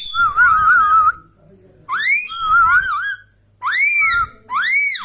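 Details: Pet Indian ringneck parrot whistling indoors: loud, bright rising whistles and warbling notes that wobble up and down, repeated in four quick bursts within five seconds, each with a rich, ringing tone.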